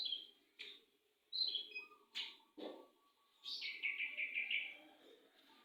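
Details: Canary singing a long roll: several separate chirps and whistles, then a fast rolling trill of rapidly repeated notes near the end, over a faint low background hum.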